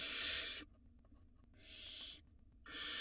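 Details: Wild barn owl nestlings, two of them, in a nest box while swallowing rodents; three rough, noisy hisses about half a second long, separated by near-silent pauses.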